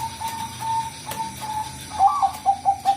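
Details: Perkutut Bangkok, a zebra dove, in a lure recording: a sustained soft cooed tone, then three or four short, distinct coos toward the end, over a faint hum.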